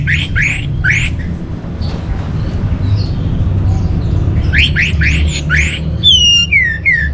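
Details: Orange-headed thrush, northern Bali, song played as a lure and master for caged birds: bursts of rising upslurred notes, a pause, another rising series, then three falling slurred whistles, all above a continuous low hum.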